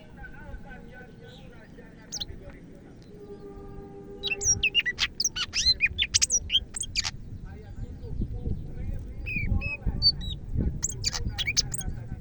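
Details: Greater green leafbird from Medan singing vigorously: after a quiet start, a fast run of sharp, varied chirps and whistled slurs, some rising, others dropping, with a low rumbling hum beneath.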